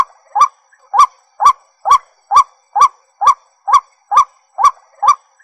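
A White-breasted waterhen repeats a loud, croaking note about twice a second, each one short and slightly rising, in a steady series with little else heard.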